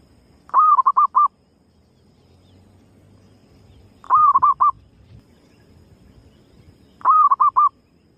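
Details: Zebra dove female giving her lure call to bring other birds close. Three evenly spaced phrases roughly three seconds apart, each a longer cooing note then four rapid soft notes, with faint low rumble between phrases.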